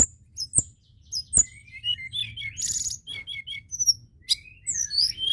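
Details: White-browed shortwing in strong song to stimulate other birds: sharp high double notes with two loud knocks, a short buzzy burst, then a tumbling mix of whistled and chipping notes.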